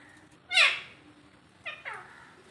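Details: Talking Alexandrine parakeet imitating speech: one strong harsh falling syllable, then after a pause two softer, shorter falling notes, over a low steady background hum.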